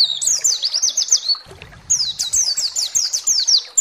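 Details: White-eye (pleci) singing as a lure to provoke other pleci: two rapid phrases of high, sharp, downslurred chirps divided by a brief pause, with a low hum between them.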